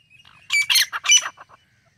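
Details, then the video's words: Grey francolin, known locally as dakhni or irani teetar: one harsh, squawking call burst of several rapid notes, loud in the middle and trailing off into softer clicks. "Top 15 Different Voices Of Grey Francolin - Teetar Sounds"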